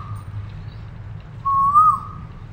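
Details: Asian koel giving a single clear whistled call, a low note swelling and rising then dipping at the end, over a steady low hum.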